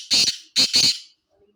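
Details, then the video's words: Black francolin (kala teetar) calling: three loud, harsh, grating notes in quick succession, a short pause after the first, all within about one second, followed by near silence. "کالا تیتر کی اواز"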